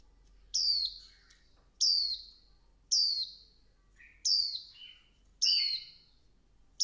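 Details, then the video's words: Female Swinhoe's white-eye singing to stimulate the male, an excited chattering 'líu' song: five bright, very high notes, each sliding downward, spaced about every 1.2 seconds, some with a lower buzzy tail, over a quiet background. "Tiếng chim vành khuyên mái kích trống líu căng lửa"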